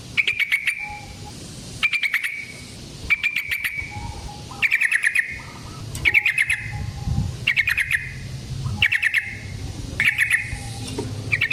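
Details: Energetic yellow-vented bulbul in wild fighting-style song with long rolls, used as a lure and master recording for other bulbuls: regular bursts of rapid clipped chatter roughly every second and a half, low rumble behind.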